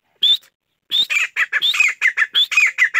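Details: Chachalaca, locally called gora teetar, calling loudly: one short note, a pause, then a rapid run of high rising whistled notes alternating with harsh, scratchy bursts, about four per second.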